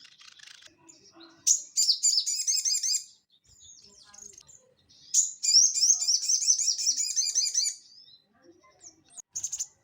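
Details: Crested jay chattering energetically, used to train and stimulate caged birds: two long, rapid dry rattles of high clicking notes, each about two seconds, separated by soft faint twitters, with a few sharp chips at the end.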